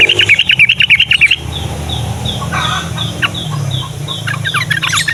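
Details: Morning song of a yellow-vented bulbul, meant to draw young bulbuls into singing: a quick burst of repeated bright chirps for over a second, followed by a regularly repeated thin high note and scattered calls over low background rumble.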